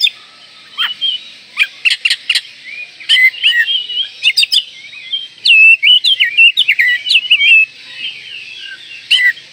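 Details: Oriental magpie-robin in breeding condition provoking rivals: scattered sharp click notes early, then a long rapid sequence of varied whistled twists and trills.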